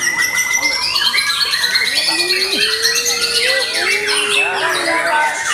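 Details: Post-moult white-rumped shama pouring out a busy song: a steady whistled tone at first, then tangled rising and falling slurs, sharp high chips and a few low gliding whistles, unbroken throughout.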